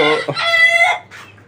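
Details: Local desi chicken on a farm keeping 29 free-range hens: a short, harmonic crow that holds level for about a second, then drops off, followed by a faint softer call and a low steady hum in the background.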